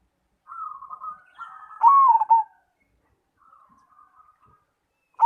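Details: Zebra dove of the Cemani variety in full song: a low rolling trill, then a loud warbling coo that drops in pitch, followed by faint quiet cooing and the start of another loud phrase.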